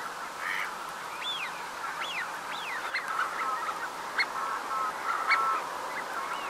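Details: Wintering Eurasian wigeon, Uitkerkse Polder, Belgium, January 2017. About eight arched, whistled calls come at uneven intervals above a dense, continuous flock chatter.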